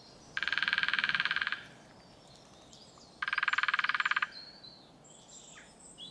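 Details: In courtship season, a female woodpecker drums on a dead ancient oak to advertise territory and presence to mates and rivals. Two rapid, even rolls of hollow knocks, each about a second long and about two seconds apart, followed by faint calls from other birds.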